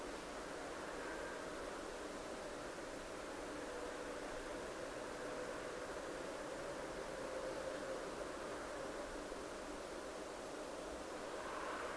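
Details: Steady broadband rushing noise, like flowing water or wind, continues throughout with no animal calls.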